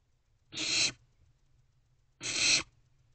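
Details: Barn owlets, four young in a nest box, at night around 3 am on 16 May 2023, giving two harsh broadband hissing screeches about half a second each, spaced nearly two seconds apart, over faint low hum.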